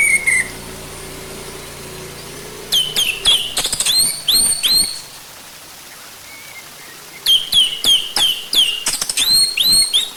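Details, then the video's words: Orange-headed thrush song used as a lure to make the bird sing: two bursts of fast, loud, ringing whistled phrases with repeated upslurred notes, separated by a few seconds of quiet. "Pancingan Ampuh Buat Anis Merah Biar Cepat Bunyi"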